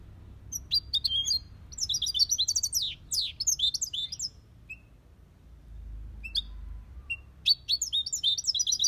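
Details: European goldfinch from an aviary singing copia Malaga song. Lively, jangling twitters and scratchy chirps come in repeated phrases over a low background rumble, with a short lull midway.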